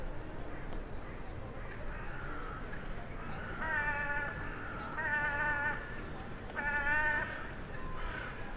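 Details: Town-centre crow on a January 2021 evening communicating with crows arriving for the night: three drawn-out, nasal caws roughly every one and a half seconds over low urban noise.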